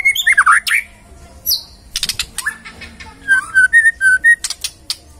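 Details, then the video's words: Magpie-robin song mixing warbled whistles, high thin notes and clicking scratchy bursts, ending in a run of short, evenly spaced clear whistles. "Murai Nyaut Gacor"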